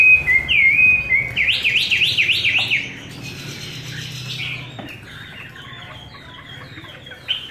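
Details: Chinese hwamei with a wild-type voice, fed homemade bird feed, opening with a loud pure whistle, then a fast zigzag series of up-down whistled trills, followed by quieter softer warbling notes and a brief louder note at the close.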